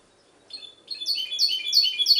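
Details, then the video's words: Goldfinch hybrid singing, recorded in Ksar el Kebir: after half a second of quiet, a quick, chirpy twitter starts, then high trilled and tinkling notes build in loudness into a dense, continuous warble to the end. "mixto jilguero"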